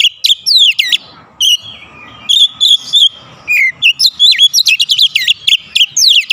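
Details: Domestic Oriental magpie-robin in steady daily song: bright, varied high whistles and sharp chirps in fast bursts, broken by short pauses and a thin sustained tone, then a quick run of clipped notes.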